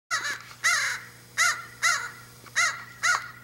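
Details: Crow calling while being fed by a person outdoors: six loud, harsh caws with rich harmonics, each about a quarter second long, repeated roughly every half second, over a steady low hum.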